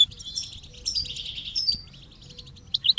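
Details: Goldfinch with chicks chirping, from a training recording: soft, somewhat distant twittering and short whistles against low background hiss, ending in a few louder sharp chirps.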